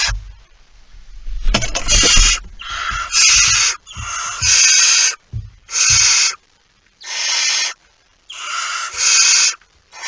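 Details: At its nest just past midnight on 23 September 2019, a barn owl with a mouse gives loud hoarse hissing screeches, several long rasping bursts in close series, with some low knocking and rustling at the start.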